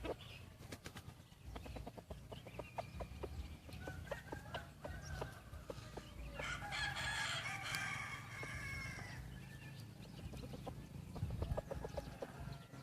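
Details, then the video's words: White-eared decoy chicken with a fine voice: a loud, drawn-out, wavering crow around the middle, surrounded by steady clicking and rattling handling noise and low rumble. "Qaib dib dawb pob tseg zoo nkauj heev(ไก่ต่อหูขาว)"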